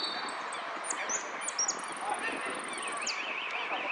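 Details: Hooded siskin at a singing competition in Monte Grande on 30 October 2016, fourth place in the amarillo sin cierre category. High thin whistled notes and a long fast trill, then a zigzag warble, over constant crowd chatter.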